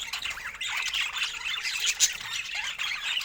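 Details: Budgerigars kept as pets share fruit while chattering: continuous overlapping squawks, clicks and warbled chirps, with quick downward-sweeping notes and a brief sharper squeak near the middle.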